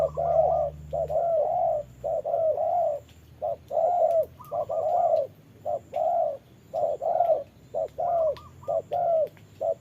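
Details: Spotted doves dueling, a decoy against a wild bird in the rain: a steady, nearly continuous run of low mellow coos in short-long pairs, with a second bird's higher, quicker notes interjected.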